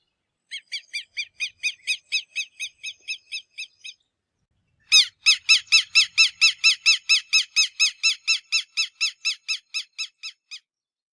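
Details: Southern Lapwing (quero-quero) giving a rapid series of harsh, strident notes, about thirteen evenly spaced, then after a one-second pause a louder, quicker run of about twenty similar notes. The background is quiet, with no other sounds.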